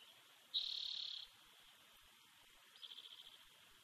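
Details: Lone bald eagle eaglet in the Big Bear nest on 7 June 2019, recorded by nest camera. A single loud, high, sustained piping note is followed a second later by a rapid series of short chittering peeps against steady hiss.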